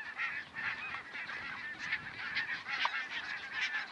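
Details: A flock of barnacle geese near Stadil gives a dense, overlapping chorus of short, yapping honks, several each second, with no clear pause between calls.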